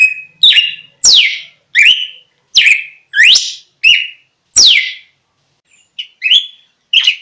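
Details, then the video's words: Red-cowled cardinal singing, played to attract wild birds nearby; loud, sharp-edged whistles sliding downward in steady succession, a short pause near six seconds, then a few more clipped whistled notes. "Galo De Campina Singing"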